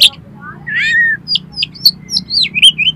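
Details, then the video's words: Kacer, the Oriental magpie-robin, used as a singing lure to spur another kacer to sing and spread its tail: a drawn-out buzzy rising whistle followed by a sequence of short slurred high chirps. "DALAM HITUNGAN DETIK KACER KALIAN PASTI LANGSUNG ON !!! MAU BUKA EKOR"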